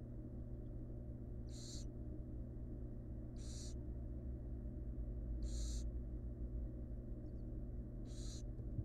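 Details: Wild barn owl mother with her young in a nest box; four rasping hisses, each under a second, repeat about every two seconds against a steady low hum.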